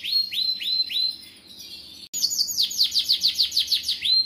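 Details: Canary singing a long, full song used to prompt young canaries to sing: repeated upward-hooked whistles, then a fast run of bright trilled notes about six per second, ending in another rising whistle.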